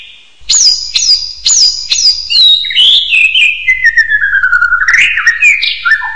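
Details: Hill myna calls: four sharp high whistles repeated about twice a second, each dropping at the end, followed by a long descending whistle that slides down and then jumps up into short rising notes.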